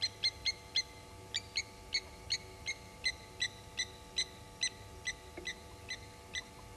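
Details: Blacksmith lapwings mobbing an unwelcome African harrier hawk at Gowrie dam waterhole, Djuma Game Reserve, Sabi Sand Wildtuin, South Africa, 07:33 on 18 July 2019, picked up by a live waterhole camera: sharp metallic clinking notes, about three a second, over a steady electrical hum.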